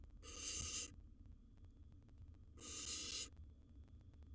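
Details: Young wild barn owl at the nest with a gerbil: two clean, breathy screeches, each about half a second long and a couple of seconds apart, over low background rumble.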